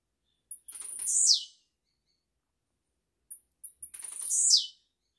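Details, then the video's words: Caged blue-black grassquit singing live, recorded as a training model for young birds: two high, buzzy song bursts about three seconds apart, each opening with short ticks and ending in a sharp descending sweep, over a quiet background. "TIZIU GRAVADO AO VIVO PRA ENCARTE DE FILHOTES, CANTORIA LINDA"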